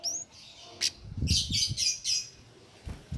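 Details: Cit keres, a small songbird, singing actively without doping, offered as master song for training contest birds; bright high chirps and buzzy rasping bursts in quick succession, with low rumbling background noise.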